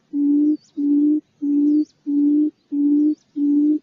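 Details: Quail, male and female, calling as a trapping lure: six low, even hoots spaced about 0.6 seconds apart, each note flat and humming, with faint upward squeaks between them.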